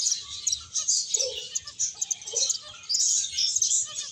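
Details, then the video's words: Finches chattering while they play and eat: a steady wash of sharp high chirps, swelling and dipping, joined by a few lower buzzy notes midway. "Cute Birds Chirping Sounds | Beautiful Finches Playing and Eating"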